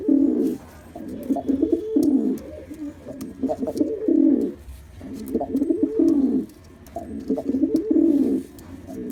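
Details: Displaying male pigeon, black in colour, delivering bursts of low, rumbling coos about every two seconds, separated by short quieter gaps.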